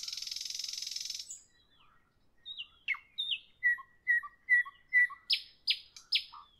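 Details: A nightingale sings in the evening, opening with a dense buzzing trill, then silence, soft notes, evenly spaced pairs of pure whistles and three loud rising whip notes.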